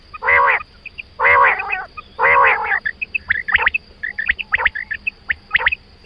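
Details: Loud, full quail call bursts at first, then a rapid scatter of sharp high notes. A persistent high-pitched whine and low hum lie beneath.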